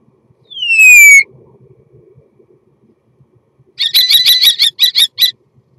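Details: Mating song of a common starling, opening with a bright whistle falling steeply in pitch, a quiet gap, then a dry, crackling burst of fast pulsed clicks broken into short bursts.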